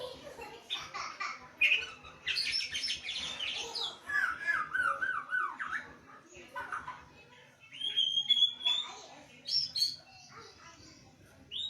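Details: Caged white-rumped shama during a lockdown, singing bursts of harsh chattering and clear sliding whistles, with brief pauses between phrases and faint talking in a small room.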